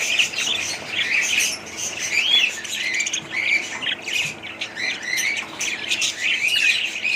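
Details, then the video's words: Budgies squawk and warble in a lively overlapping chorus, with a couple of clear upward-slurred whistles standing out among the scratchy chirps. "budgies parrot sound"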